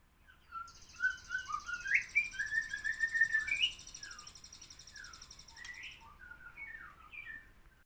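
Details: Chattering sooty-headed bulbul from the Badheuk Ladong bloodline delivers quick, jerky whistled notes, loudest in the first half, over a continuous high insect-like buzz that stops partway, followed by softer scattered notes.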